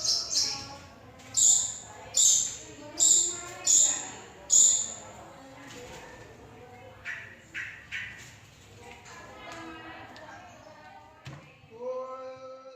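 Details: Long-tailed shrike mimicking the songs of other birds: five sharp, very high notes about a second apart, followed by a looser run of lower, varied whistled and chattering phrases with short pauses.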